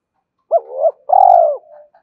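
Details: Luring and challenging wild doves, a spotted dove gives one phrase: a sharp rising coo swelling into a long, level, slightly falling hoot, followed by a soft trailing note.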